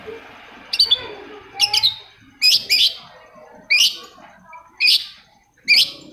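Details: Lure recording of a long-tailed shrike for stirring reluctant shrikes to sing: loud, harsh, rasping high notes, single or paired, repeated roughly every second over a quiet background.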